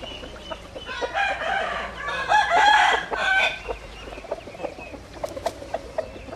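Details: Rooster crows in a long, somewhat hoarse, multi-part call lasting over two seconds, followed by quieter clucks and clicking sounds against steady background hiss.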